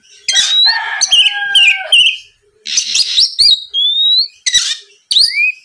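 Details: Oriental magpie-robin singing a lure song to push rival birds into singing: rich warbling with steady whistled tones, buzzy harsh bursts, a long rising whistle and a final upward sweep, with short pauses.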